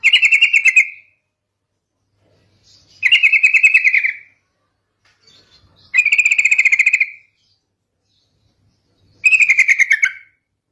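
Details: Sooty-headed bulbul lure used to make other bulbuls respond: four rattling bursts of rapid buzzy pulses, each about a second long, repeated roughly every three seconds with quiet gaps between.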